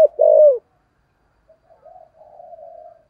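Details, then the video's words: Spotted dove with a 'giọng thổ' voice, kept as a decoy to lure wild birds: a single loud, low hooting coo, then a gap and soft, faint, wavering cooing notes fading out. "Chim Cu Mồi - cu gáy giọng thổ kích bổi rất hiệu quả"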